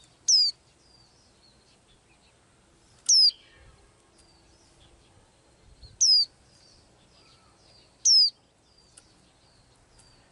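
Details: Daily singing of a small blue-eyed bird: five loud, clean down-slurred whistles at uneven intervals of two to three seconds, with soft high chips and faint low rustles in the background.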